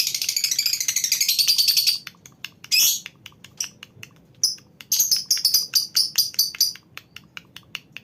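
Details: A lovebird colony chatters in rapid, shrill, high-pitched bursts, with fast trills broken by short pauses, used to prompt lovebirds into long ngekek calls.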